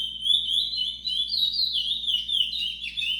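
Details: Chestnut-bellied seed finch of the brown (pardo) form: a steady flow of sweet, high whistles, first level, then climbing and dipping in looping phrases without a break.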